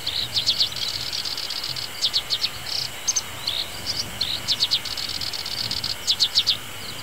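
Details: In a summer reedbed, a black-browed reed warbler sings high, scratchy phrases: clusters of three to five sharp notes repeated every second or so, mixed with short buzzes and whistles, over faint distant engine noise from grass cutting.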